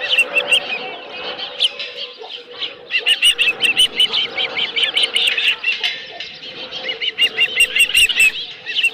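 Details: Osprey at the Dunrovin Ranch nest on 11 July 2018, around midday, with a live fish: rapid series of high, sharp whistled chirps, often in quick runs, over a steady low hum.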